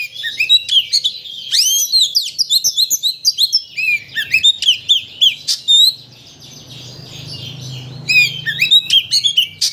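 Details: Oriental magpie-robin, locally kacer, in lure song to excite another bird into singing its full repertoire: energetic high whistles and sharp chips in rapid clusters, a short hush, then more bright notes.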